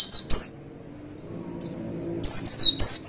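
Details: Lively twittering of a Javan white-eye, recorded as tutor material for training songbirds: two brief high chirps, a quiet gap with faint thin whistles, then a fast burst of sliding notes.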